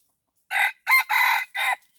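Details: Crow of a red junglefowl used to lure wild birds with a decoy: four rasping syllables in quick sequence, a short first note, a clipped second, a longer third and a brief final one, in a quiet setting.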